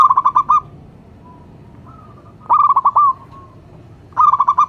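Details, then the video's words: Zebra dove of a local strain, calling for luring. It gives three clear bursts of fast, bubbling coos. Faint soft single coos fill the gaps against a quiet background. "Perkutut lokal gacor jawara pikat dan pancingan nada suara panggilan"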